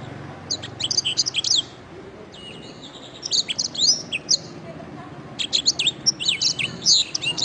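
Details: Canary training masteran: clusters of high, rapid chirps and sweeping whistles arrive in three bursts, the last the densest and loudest, with a faint low rumble behind.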